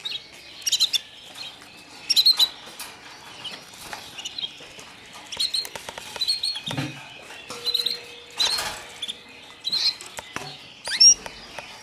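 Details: Newly arrived white foreign canary chicks giving short, high chirps in scattered bursts about every one to two seconds, with quieter rustling between them.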